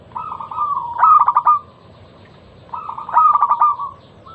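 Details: Zebra dove, local type, singing a loud, crystal-clear lure song meant to trigger other doves: two phrases, each a smooth low coo running into a quick stutter of four or five pulsed notes, about two seconds apart.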